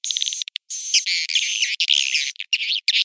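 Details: Swiftlet lure call played to attract swiftlets to swiftlet houses in Indonesia: high, rapid twittering chirps running into buzzy, rattling trills, repeated in quick bursts with short gaps.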